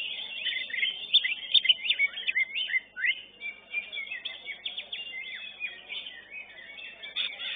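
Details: Greater green leafbird, first-place winner in a competition class at a bird singing contest, delivering a rapid, varied stream of high chirps, trills and slurred whistles with frequent downward sweeps, sung continuously and densely layered.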